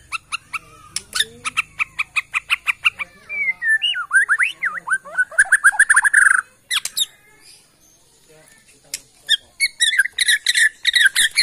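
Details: Borneo white-rumped shama from the Kalimantan forest opens with a fast train of repeated sharp notes, shifts into swooping whistled phrases, then after a pause resumes with rapid clicking and chattering bursts.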